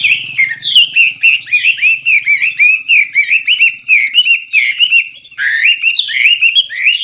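A Chinese Hwamei sings loudly and without pause, a rich run of clear, slurred whistles and quick rising and falling phrases. A faint low hum sits underneath early on.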